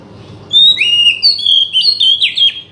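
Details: Oriental magpie-robin singing, used to coax a quiet bird into song: a loud, continuous run of clear whistled notes jumping between pitches, with slides and short trills, over faint hiss.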